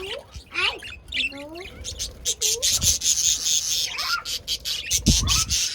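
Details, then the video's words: Budgerigars chirping: a run of curving, warbled notes and short rising squeaks in the first two seconds, then scattered sharp high chirps over a steady hiss, with a few low thumps. "Lovely budgies chirping and lovely sound of budgies"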